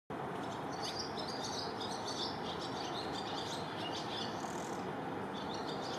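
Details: Swallows calling outdoors: a steady stream of short, high, thin chirps and twitters, scattered and overlapping, over constant broadband background noise.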